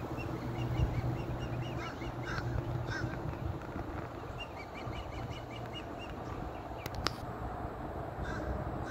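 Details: Small bird perched in a large tree, uttering quick series of short chirping notes in bursts, with a pause between runs, against constant low-pitched background hum and a couple of sharp clicks.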